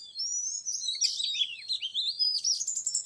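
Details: Oriental magpie-robin song used to lure a young wild male: an unbroken, fast warble of high, sweet whistles sliding up and down, turning into rapid twittering notes toward the end.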